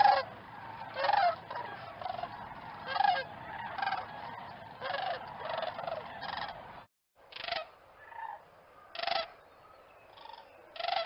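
A crane gives loud, harsh trumpeting calls in bursts, about one a second, then more spaced out after a short pause.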